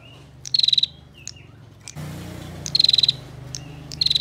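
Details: Rapid, tightly packed ticking trills from a female bar-winged prinia, used as a master song for songbird training. Three bursts of fast buzzy pulses separated by brief short notes, with a steady low hum behind.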